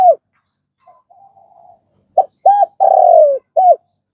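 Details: Spotted dove, a trained calling bird, gives soft faint murmurs, then a loud sequence of short hollow coos and a long descending drawn-out coo followed by a final clipped coo.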